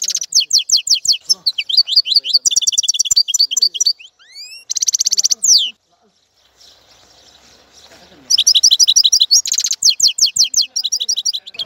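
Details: Goldfinch song in bursts of fast tinkling chirps and buzzy trills, broken by a short pause with low scratchy background noise before the twittering resumes.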